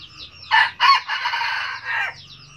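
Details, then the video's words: Red junglefowl crowing: two short, loud, harsh opening notes followed by a long, drawn-out raspy phrase that drops at the end, lasting about one and a half seconds, with faint bird chirps behind. "tiếng gà rừng gáy cà lắm"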